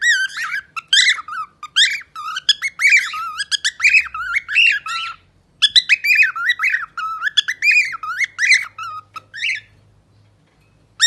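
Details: Pet parrot in a lively indoor song: long runs of loud, harmonic whistles and squawky chirps rising and falling, one short break, a faint low hum late on.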